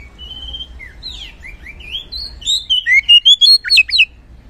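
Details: A magpie-robin's gacor ngeplong singing, meant to stir lazy magpie-robins into song: a long clear whistle, several gliding notes, then quick bright looping notes building to a loud rapid run.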